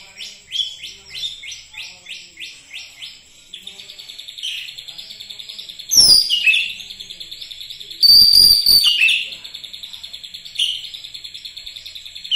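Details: Oriental magpie-robin (kacer), said to turn into energetic song within minutes: fast repeated chirps give way to a steady high trill, broken by loud sweeping whistles and a bright rattling burst of notes.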